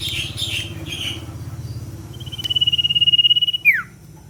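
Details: Common iora singing in the 'ngetir' style as a lure. Faint chirps lead into one long, finely trilled high whistle that rises in volume and ends in a steep downward slur.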